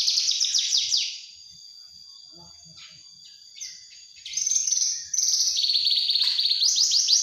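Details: Juvenile Javan bush lark song that opens with quick descending high trills, drops to a quiet gap with faint sustained whistles, then bursts back into loud, rapid, shrill chattering phrases.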